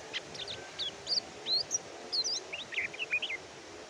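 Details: Oriental white-eye (kecial kuning) singing: a series of high, thin, rapidly sliding chirps and short whistled notes, rising and falling, over steady background hiss.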